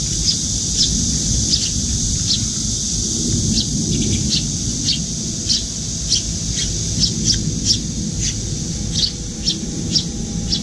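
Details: Fledgling Eurasian tree sparrow fluttering its wings and begging food from a parent at a window feeder though able to feed itself. Bursts of high, quick chirps, crowding toward the end, over low rumbling noise and high hiss.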